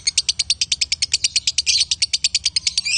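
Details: Male and female lovebirds chattering in fast, bright high pulses, about eight a second, with a slightly blurred, buzzier stretch mid-way and at the close.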